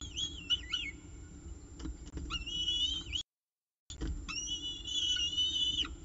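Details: Peregrine falcon at the CSU Orange nest holding breakfast, October 19, 2018; long drawn-out whining wails that bend up and down, some short clicks, a silent break midway, constant low hum.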